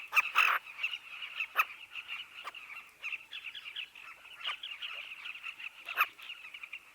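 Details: Sociable southern carmine bee-eaters chirping at their nesting colony dug into a dry riverbank, a constant overlapping chorus broken by a few louder, sharp nearby calls, the strongest near the start.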